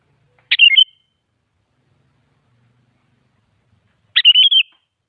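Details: A sooty-headed bulbul sings to lure other bulbuls into responding: two short warbled whistled phrases, each a sharp upstroke followed by quick rolling notes, about three and a half seconds apart in silence.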